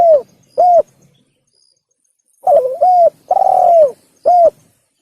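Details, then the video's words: Hunting-lure spotted dove call: two short coos, then a quavering note, a short coo, a long falling coo and a last short coo, crisp and close with no other sounds. "Pikat Burung Tekukur / Suara Burung Tekukur | The Sound of The Turtledove"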